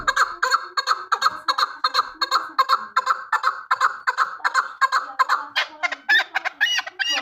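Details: Steady, rapid chuk notes from a hunting chukar partridge, repeated nearly three times a second, then breaking into higher, more excited calls over the last second and a half.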